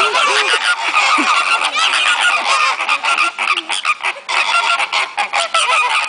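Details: Flamingos at Sarasota Jungle Gardens calling excitedly together: a constant din of raspy, goose-like honks and yelps, densely layered, with brief dips in loudness toward the end as the clamor pulses.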